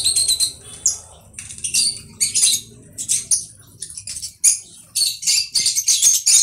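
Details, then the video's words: Conure giving rapid bursts of sharp, high chirps and short squawks in quick, uneven succession, about four per second, with faint low rumbling behind. "Conure bird"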